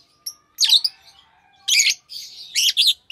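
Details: Fischer's lovebirds, a green pair, giving harsh, rasping chirps in three or four bursts, with a soft continuous chatter and a faint low even tone between them.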